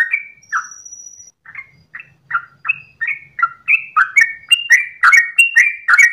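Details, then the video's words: Sooty-headed bulbul dawn song in 'ropel' style: begins with slow spaced whistled notes, a thin steady tone briefly above, then accelerates into dense rapid phrases; faint low hum underneath. "ROPELAN TRUCUKAN Terbaik subuh pagi hari"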